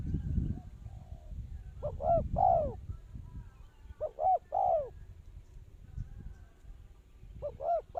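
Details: Spotted dove calling as a lure bird for trapping: three soft, hollow cooing phrases of two or three notes each, the last note longest and falling, spaced a few seconds apart over low rumbling background noise.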